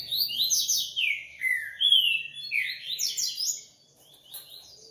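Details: Coleiro pouring out a continuous, rapid song of loud slurred whistles and high trills, then tailing off into softer notes.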